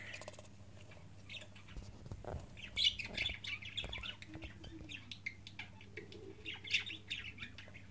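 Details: Budgerigar chick, 15 days old, kept as a pet: scattered short raspy chirps, some rising, come irregularly in small clusters over a steady low hum, with faint rustling between calls.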